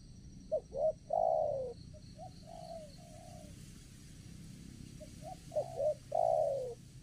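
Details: In the morning, during a decoy-assisted trapping session at a site with petai, jengkol, coconut and durian trees, a spotted dove (Spilopelia chinensis) gives a low coo phrase of two quick notes and a long rolling coo, repeated about five seconds later over a faint high hum.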